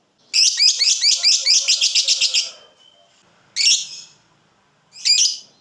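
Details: Lovebird giving a ngekek trill used as a tutor recording for other lovebirds: about two seconds of fast, harsh, evenly pulsed chattering notes, then a pause and two separate raspy squawks.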